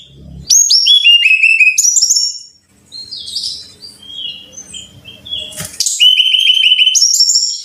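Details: Brown-chested jungle flycatcher song played for training caged birds to sing: cascades of high, ringing downslurred whistles in fast series, a quieter middle with scattered soft notes and low hum, then another bright descending run.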